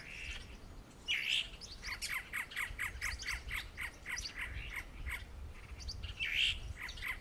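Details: Great antshrike (choró-boi, Taraba major) giving a long, fairly quick series of short, mid-pitched notes, about three per second, with a harsher emphasized note near the start and another near the end. Faint low background rumble.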